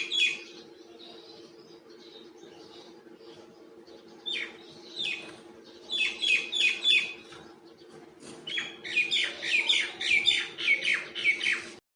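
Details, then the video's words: Common myna feeding in the wild with a mix of sounds: sparse scratchy notes at first, then rapid runs of loud squeaky whistles and harsh chatters repeated in quick succession, over a steady background hum. "Wild feeding by Myna bird and making different sounds!"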